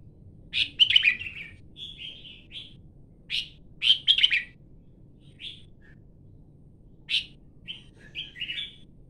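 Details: Red-whiskered bulbul giving repeated bright chirping phrases, sharp rising-falling notes in clusters separated by pauses of one to three seconds, some phrases ending in softer warbled whistles; quiet low hum behind.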